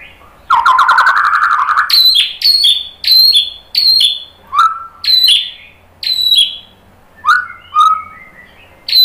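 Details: White-rumped shama song for provoking other birds to sing: a harsh buzzy opening, then sharp high whistled notes dropping in pitch, given every second or so, mixed with lower slurred whistles.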